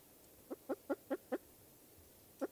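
Spruce grouse giving low, clucking notes, five in quick succession about a fifth of a second apart, then one more after a pause; quiet background.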